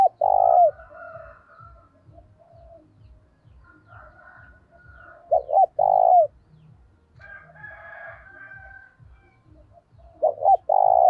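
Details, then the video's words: Decoy spotted dove giving lure calls with an energetic urging voice. Three loud coo phrases come roughly five seconds apart, each a quick stuttered pair and a drawn-out falling note. Fainter doves answer in the gaps. "Chim cu gáy gọi hay kích bổi và tập mồi kèm giọng thúc rất sung"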